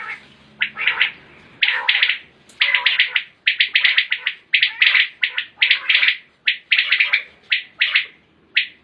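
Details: Common quail (batair) recorded in 2020: a dense run of overlapping sharp triple-note calls with almost no pauses, loud and slightly distorted.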